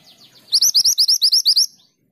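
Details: ['Mountain mantenan female calling the male, giving one loud, quick series of about ten sharp, rising chirps over roughly one second, preceded by softer, fainter notes.']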